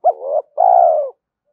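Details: Spotted dove cooing, played to excite and train decoy birds: one phrase of a short, sharp-edged low note followed by a longer, steady, mellow coo that slides slightly down at the end, against silence.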